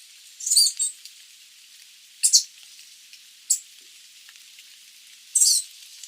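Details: Sooty babbler (Stachyris herberti): short, very high, sizzling chattery bursts in separated groups, a few notes at a time with pauses of about one to two seconds, over a quiet background.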